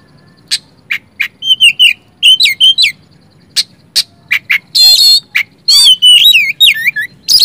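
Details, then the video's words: Oriental magpie-robin song for prompting silent magpie-robins to sing: spaced sharp chips building into warbled whistled phrases, harsh rasping buzzes and swooping slurred notes, loud and varied throughout. "Kacer macet malas bunyi langsung nyaut bongkar isian dengan suara kacer satu ini"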